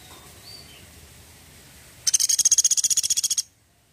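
A woodpecker gives a sharp, high, dry rattle of about eighteen rapid notes in just over a second, after a quiet start.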